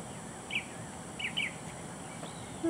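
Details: Northern Mockingbird giving three short, sharp chirps within about a second at Hazel Bazemore County Park hawkwatch, amid grackles and doves, over steady outdoor hiss and low rumble, with a person speaking nearby.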